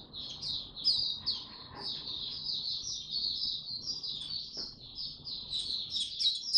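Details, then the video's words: Oriental white-eye kept as a cage bird, singing buka tiong aw style on 25 January 2022 after a late night: steady high twittering warble, fairly quiet, over a persistent hiss and low rumble. "Mata Puteh Hercules V2 buka tiong aw sing"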